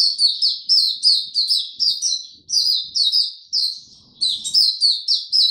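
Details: Captive Oriental white-eye in tiong aw song, January 25 2022: rapid sequences of shrill descending warbled notes delivered in energetic bursts with only a brief pause midway.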